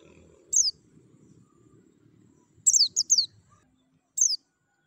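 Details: Singing-stimulation therapy with Javan white-eye: three bursts of very high, thin falling notes, the middle one a rapid triple flurry, separated by short silences, with faint low rumble.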